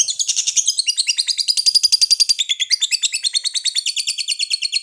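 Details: Lovebird in a long, continuous rapid trill of high shrill chirps, the notes buzzy at the start, then evenly spaced and rising slightly before dropping a little in pitch.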